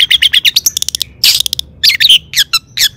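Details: Long-tailed shrike "toet toet" song used to provoke other shrikes: a dense, varied medley of quick whistles, harsh bursts and high chirps delivered with barely any pause.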